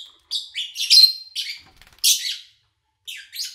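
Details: Chirping lovebirds recorded at the start of August 2019 while the owner was away; rasping, buzzy notes with a short whistled tone, a brief lull, then a loud harsh burst and further chatter.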